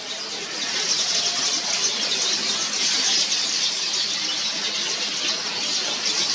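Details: Busy dawn at a yellow weaver nesting tree in Mombasa, Kenya, birds building nests and carrying food to young; a thick, shrill chorus of rapid squeaks and chirps that swells after the first second and stays loud.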